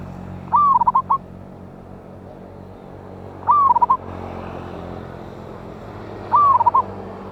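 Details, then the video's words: Wild local zebra dove with a loud voice, recorded as a lure on 11/8/24: three cooing phrases about three seconds apart, each a rising slurred note followed by a quick stutter of short coos, over a low steady hum. "PANCINGAN BURUNG PERKUTUT LOKAL ALAM SUARA BESAR"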